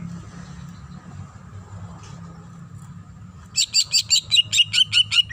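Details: Greater green leafbird, female calling the male, bursts after a quiet start with low background hum into a quick, evenly spaced run of bright, high whistled notes, roughly three each second.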